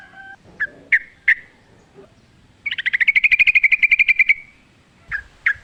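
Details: Sooty-headed bulbul giving several spaced sharp chips, then a long steady trill of about twenty rapid clipped notes, and two more chips to finish.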